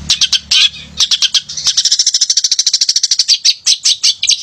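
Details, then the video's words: Male long-tailed shrike (pented), a lively singer used to provoke lazy shrikes into singing; fast run of sharp high chattering notes, about three per second rising to a rapid stutter, with a low hum at the start. "Pented Gacor Cocok Buat Pancingan Pented Yang Malas Bunyi"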